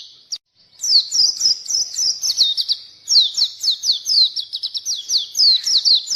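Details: ['Oriental white-eye singing hard, used to draw in and teach reluctant white-eyes: one lone high note, a brief gap, then a long dense stream of piercing, downward-sweeping chirps.']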